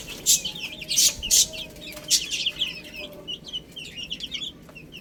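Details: Chicks eating spinach: several loud sharp pecks open, then softer high chirps from multiple birds continue in short, scattered bursts.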